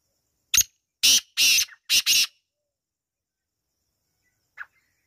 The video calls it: Kala teetar ki awaz